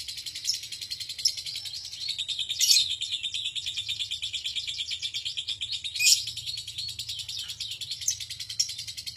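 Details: Lovebird delivering a super-long ngekek, the extended trill prized in songbird contests and used as a master for other songbirds: a continuous, dense, high chattering trill with brief louder bursts near three and six seconds.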